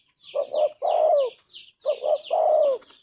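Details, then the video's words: Spotted dove, a tekukur kept as a gacor singer for training and decoy use, giving two coo phrases: two short soft notes then a long, falling, hoarse coo, with high chirping birds in the background. "Tekukur gacor suara emas"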